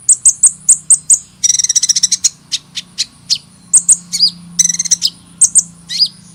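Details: Hummingbird singing: very high, thin chirps in quick runs, broken by short buzzy rattling trills and a few downward-slurred notes, with a steady faint high whine throughout.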